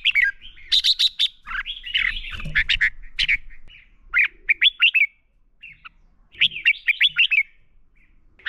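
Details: Red-whiskered bulbul fighting song for training birds: lively run of sharp whistled and warbled notes, several quick four-to-five note phrases, with a brief quiet gap midway and faint knocking in the background.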